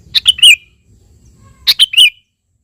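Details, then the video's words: Sooty-headed bulbul calling a rival: two close, loud chirpy phrases of clicks followed by a warbled downward-sliding whistle, about one and a half seconds apart. "suara burung KUTILANG GACOR memanggil lawan"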